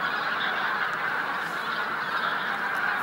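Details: Taiga bean geese at Jakubov fishponds on 9 March 2014 form a dense chorus, many nasal honking calls overlapping without pause into a steady, clamorous din.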